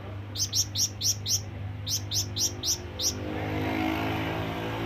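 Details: Flamboyan bird calling to summon companions or rivals: two bursts of five sharp, high, evenly spaced chirps, then a rising low hum like a passing vehicle.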